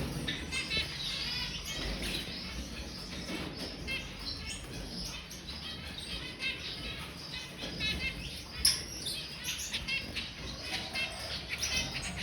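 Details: Zebra finches about to sleep, keeping up a steady stream of short, high chirps and soft twitters throughout, with one sharper note near the middle, over a faint background hiss.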